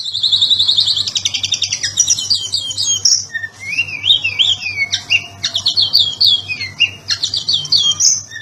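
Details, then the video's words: Kept Oriental magpie-robin from Indonesia in full 'ngobra patah' song for tutoring other birds: rapid high buzzy trills, then rising whistled notes and chattering bursts, delivered nonstop over eight seconds with a faint low hum behind. "BURUNG KACER NGOBRA PATAH GACOR MANTAP BUAT MASTERAN"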